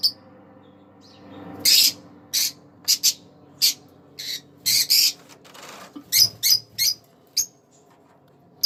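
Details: Pair of green Fischer's lovebirds chirping and singing: a lively run of shrill, rasping chirps and squeaks, roughly two or three per second at times, then thinning out, over a faint steady hum.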